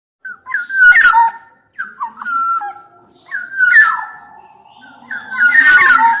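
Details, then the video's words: Black-naped oriole in full song, fluty whistled phrases that slur downward, four rich melodic bursts separated by short pauses, with a faint low hum in the background. "Kepodang emas gacor"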